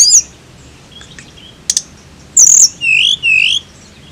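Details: Tledekan giving a few faint notes and a sharp click, then a loud high whistle followed by two strong downward-swooping whistles.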